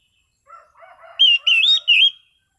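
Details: Relaxed ngeplong song of an Orange-sided thrush, clear and steady: soft, low warbling notes lead into three loud, ringing whistles with small up-and-down inflections, each lasting about a quarter second.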